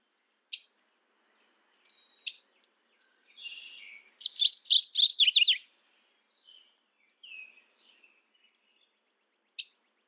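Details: Mourning warbler singing a single rolling phrase of rapid chirry notes, surrounded by sharp ticks, faint thin whistles and quiet pauses.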